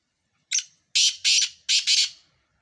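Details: Black francolin giving its loud scratchy phrase of five rasping notes, a short lead note then two doubled grating bursts, in a quiet setting.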